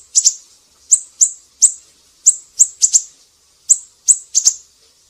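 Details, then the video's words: Siri-siri song used as tutor material for songbirds: high, piercing chirp notes, mostly paired, spaced by short gaps of under a second, in a clean recording. "Masteran burung siri-siri GACOR"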